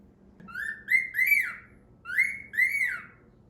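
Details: A male grey cockatiel, a pet who talks all the time, chatters in the morning in clear, rising whistled syllables grouped in two short bursts.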